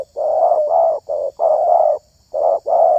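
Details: Spotted dove prized for its voice, giving about six low, throaty coos in uneven groups, some short and some drawn out, with a brief pause before the last pair.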